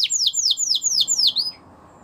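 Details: Russian canary giving five loud, high whistled notes that drop in pitch, one every quarter second, followed by quiet, with light background noise.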